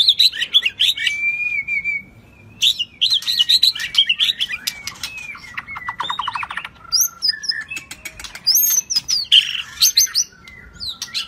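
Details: White-rumped shama, shrimp-tail form, giving a 'rít thuốc lào' style song: dense, varied high whistles and chirps, a long level whistle, and a fast buzzy rattling trill midway, then more bright whistled notes.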